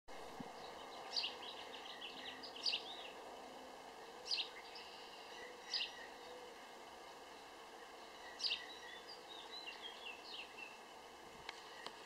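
House sparrow giving short, bright chirps in spaced bursts about every one to two seconds, over a steady hum of background noise.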